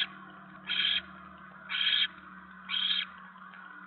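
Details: At a barn owl nest on 10 November 2017, 7:50 PM, when a mouse is brought in: three long breathy screeching hisses spaced about a second apart, with a faint constant hum underneath.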